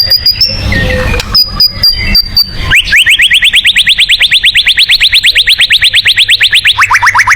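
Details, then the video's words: Shama tembakan song for contest birds: a long machine-gun series of sharp rising chirps, about three per second, steady in pitch before dropping lower at the end, preceded by scattered whistles and clicks, with a low hum throughout. "TEMBAKAN MURAI BATU"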